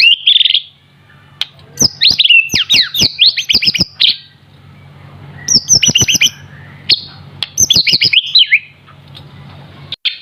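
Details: White-rumped shama, still young but in full voice, sings in bursts: rapid chattering phrases of sharp clicks and high whistled slurs, about one second long, broken by short pauses. Quiet background.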